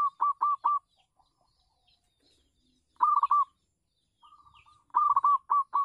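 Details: Zebra dove (local bird) calling from a house terrace where it serves as a lure for wild doves: repeated short, staccato coos in clustered phrases, a lull, then more rolling, bubbling cooing bursts.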